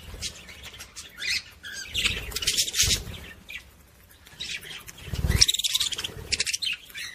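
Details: Budgerigar warble to stimulate females to mate: busy scratchy chirping and chattering in uneven bursts, with low thumping noises and brief quiet gaps.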